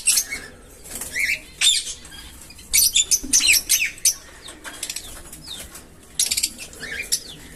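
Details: Budgerigar (Melopsittacus undulatus), chatter calls.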